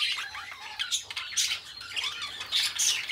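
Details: Two pet budgies, singing and talking, give loud scratchy squawks and rapid chirruping phrases, harsh bursts alternating with short rising squeaks, indoors.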